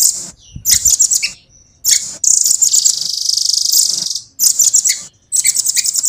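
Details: Velvet-fronted nuthatch (rambatan) singing fast and clear: a few short high trilled bursts, then an extended smooth very high roll of about two seconds, then more choppy trills.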